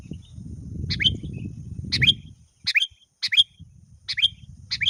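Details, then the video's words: Rival-calling sooty-headed bulbul gives a series of sharp, bright, upslurred chips, one every half second to second, over a low rumbling background noise. "Suara burung kutilang gacor memanggil lawan"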